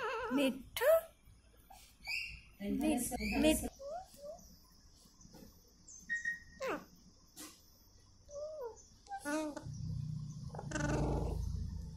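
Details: Indian ringneck parakeet, a talking parrot, giving harsh squawking bursts and wavering, speech-like harmonic phrases at irregular intervals with quiet gaps between, over a steady faint high hum.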